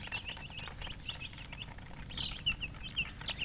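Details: Several baby chickens cheeping, with overlapping high peeps, then clear, louder, downslurred single cheeps repeating about every half second toward the end.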